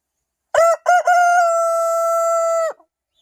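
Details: Morning crow of a rooster crowing non-stop: two short clipped syllables open it, followed by a loud, even, richly harmonic note held for about one and a half seconds before it breaks off abruptly into silence.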